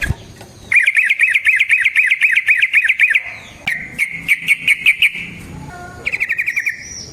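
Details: Yellow-vented bulbul in full rolling song, used as a lure to provoke other bulbuls: a long run of fast, bubbly, rising-falling notes near one pitch, then shorter rolled bursts with brief pauses and sharp clicks.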